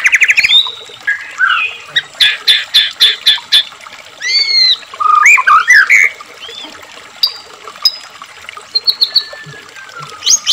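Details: Energetic white-rumped shama song meant to spur caged birds to sing, with a stuttered series of loud notes, then looping, swooping whistles and scattered higher phrases over a soft trickle of added water sound.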